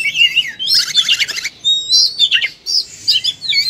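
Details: Oriental magpie-robin singing at full fighting intensity, spilling its repertoire: whistled phrases swing up and down, then a dense burst of rapid rattling notes, followed by sharp, separate whistles and short chirps.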